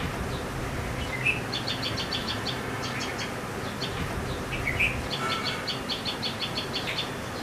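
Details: In a backyard in Howrah, West Bengal, India, an Asian pied starling (pied myna) foraging for insects in old tree bark gives two quick bursts of high, clipped chattering notes with brief whistles, over hiss and low traffic rumble.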